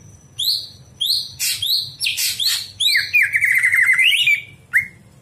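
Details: Greater green leafbird singing at night, kept as a master song for training other birds; loud, varied phrases of sharp whistled notes, buzzy bursts and a quick wavering trill, broken by short pauses, over a faint low hum.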